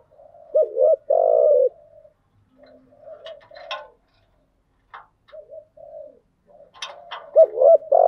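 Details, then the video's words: Decoy spotted dove, a hen used to stimulate wild-caught doves: a loud two-part coo opens and closes the stretch, with softer murmured cooing and faint clicks between. "Tiếng chim cu gáy mồi giọng lôi cuốn hấp dẫn đủ bài[ THÚC GÙ , GÁY GỌI ]"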